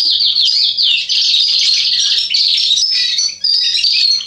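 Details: Singing Atlantic canary male, 27 October 2020: a rush of downward-slurred whistles opens into a loud continuous trilling warble with sharp piercing high notes, barely a break throughout.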